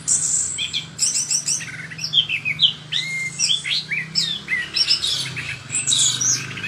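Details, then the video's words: Chestnut-capped thrush in full, lively song: a rapid, varied run of sharp chirps, short rising and falling whistles and high trills, with brief pauses between phrases, over a steady low electrical hum. "Kicauan Anis Kembang Gacor"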